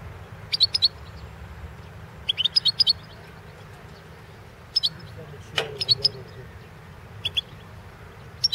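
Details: European goldfinch of the Balkan form recorded for the 2016 World Championship in Goldfinch Song: sparse short high twittering clusters every second or two, separated by quiet gaps, over faint low background noise.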